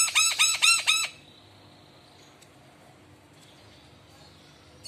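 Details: Javan myna, a lively singer, responding to other mynas: four loud, harsh, ringing squawks in quick succession within the first second, then quiet.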